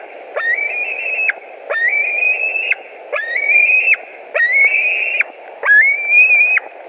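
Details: White-tailed eagles at their Latvian nest on an evening in July 2020, one bird arriving back for dinner; five long whistled calls, each rising slightly then held level, repeated about every 1.3 seconds over a constant hiss.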